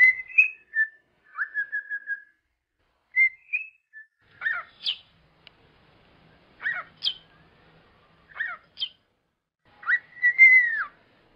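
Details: Cockatiel heard in song-training material: a few soft whistled notes, then sharp, sweeping chirps spaced about every two seconds, closing with a longer bright downslurred whistle, in quiet surroundings.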